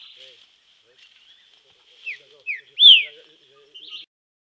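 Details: Green-winged saltator training in nature, giving two short descending whistles and a loud arched whistle, followed by a brief buzzy note, over soft background murmur.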